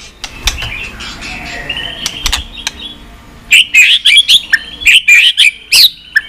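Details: Many-voiced White-rumped shama song used to excite and train birds. Quiet thin whistles and sharp clicks come first, then a loud run of quick, twisting high whistled notes in rapid succession.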